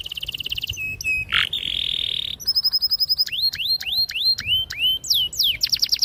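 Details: Canary singing a sharp, clear song to draw young birds into song: quick repeated notes, a level ringing roll, then a long series of hooked upward-sweeping whistles about four per second.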